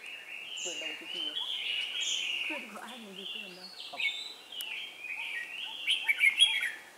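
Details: Red-whiskered bulbuls at a trapping session on 4 December 2016 give bright, chattering whistled phrases that run almost continuously, with low human voices murmuring underneath.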